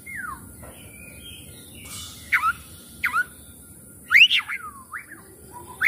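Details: Oriental magpie-robin singing as a lure to make another bird sing and open its tail: a falling whistle, scattered sharp downslurred notes about a second apart, then a louder twisting phrase, over steady low background noise.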